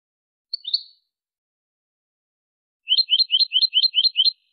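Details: European goldfinch singing Malaga-style song, played for tutoring goldfinch and hybrid chicks: a short high twitter, a pause, then a crisp trill of seven identical chirps at a steady quick pace.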